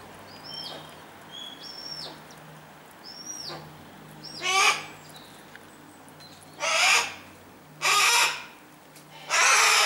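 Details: Harris's hawks kept in captivity while feeding their young: three short whistled notes that dip downward, followed by four loud, raspy, broadband screams spaced one to two seconds apart.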